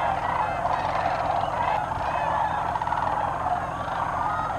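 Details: A large flock of sandhill cranes at Bernardo Waterfowl Management Area, New Mexico, in 2008 gives a steady wall of overlapping rolling, trumpeting rattles in the mid-range, with a faint background rumble.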